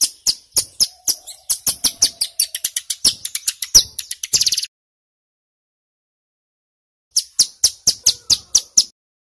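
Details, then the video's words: Wild-type male Sunda laughingthrush song used as a lure to provoke wild birds into answering: rapid series of sharp, high chirped notes in a dense burst, a pause of over two seconds, then another quick run of repeated chirps. "Suara CIBLEK Gunung GACOR PIKAT - Pancingan Ampuh Bikin Ciblek BAHAN Cepat EMOSI Bunyi NGEBREN"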